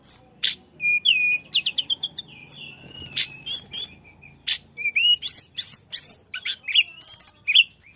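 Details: Flycatcher (tledekan) song meant to trigger singing in other birds: eight seconds of bright, rapid chattering, repeated sharp chips, twisting whistled slurs and dense high trills, delivered almost nonstop.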